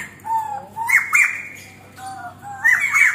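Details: White-crested laughingthrush in a master recording used to train songbirds: loud whistled notes gliding up and down, broken by harsh squawky bursts at roughly one-second intervals, with no other sounds.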